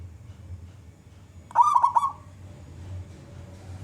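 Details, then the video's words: A single brief, mellow rolling coo phrase of under a second from a loud local wild zebra dove, a lure bird meant to draw other doves into song, surrounded by faint low hum. "perkutut lokal gacor suara besar"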